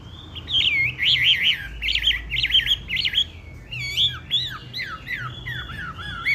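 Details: Black-naped oriole in full, lively song: looping whistled notes and warbled phrases tumble rapidly in a varied stream, dipping and rising, with a faint low hum underneath.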